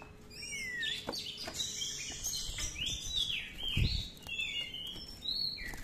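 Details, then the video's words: Oriental magpie-robin song of swooping whistles and warbles heard against a noisy background with low rumbling and occasional knocks. "Pancingan Kacer Gacor ROLL Panjang-Panjang, Dan Lagu Isian Banyak"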